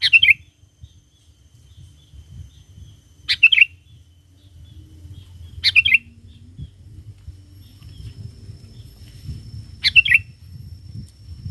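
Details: Lure recording of a vigorous sooty-headed bulbul calling to wild bulbuls: four quick chirpy, bubbly phrases spread over eleven seconds, set against a steady low background hum.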